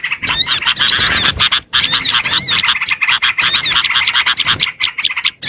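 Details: High, busy twittering of Oriental white-eye, a lure sound for small birds. Arched chirps come in fast overlapping bursts with a brief pause near the middle.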